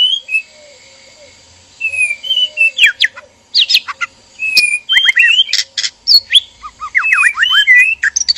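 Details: White-rumped shamas, a male and a female kept in a breeding cage, calling to stir mating: quiet opening notes, then rapid sharp downward-sweeping chips and whistles in dense bursts.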